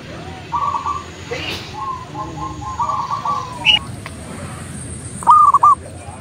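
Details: Local zebra dove singing energetically, its soft cooing phrases of a few notes given several times and partly masked by steady background noise, with a faint high hiss and some murmur.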